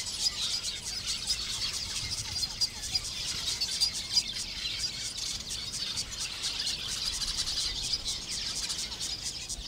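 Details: Lesser masked weavers (Ploceus intermedius) in a busy breeding colony in thorn acacias in shallow water at Sunset Dam, Kruger National Park, make a steady wall of high, buzzy, sizzling chatter, many calling at once without pauses.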